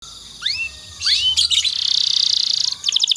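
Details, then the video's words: Canary sings two quick upswept whistles, then a long, bright, rolling trill and a burst of rapid high chips, with no other sounds standing out; finding: Canary. "suara burung kenari"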